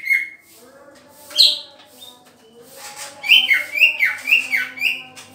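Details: Green leafbird during pairing: a lone flat whistle, then a sharp high note, then a lively run of upslurred and downslurred chirps, roughly two per second, with faint background hum.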